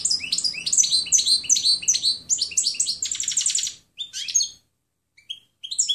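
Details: Tutor recording of a European goldfinch's clean song: a continuous run of sweet, jumbled twitters, then a fast buzzy trill, tapering into scattered single chirps after a short gap.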